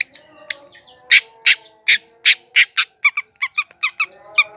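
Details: Long-tailed shrike song used as a lure to attract wild birds: loud, harsh, broadband notes given in an irregular series, some buzzy and others clipped and chattering, over faint steady low hum tones.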